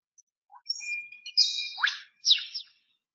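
A lyrebird gives bright, whistled mimicry: a held tone, sharp downward sweeps and squeaky chirps.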